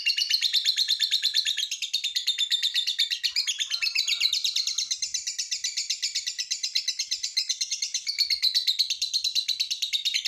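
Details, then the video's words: Extended ngekek trill of a lovebird, intended to prompt other lovebirds to sing: a sustained, rapid, rattling high chatter running over ten seconds without a break, beats steady and even. "lovebird ngekek panjang !! pancingan lovebird lain ikut bunyi"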